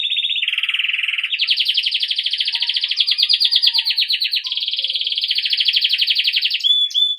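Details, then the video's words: Rolling trills from a Belgian canary singing campainha style to teach young birds, with one low buzzy roll moving into long, rapid, pulsing high tours and a short whistled end. "Canário belga campainha para treinar filhotes"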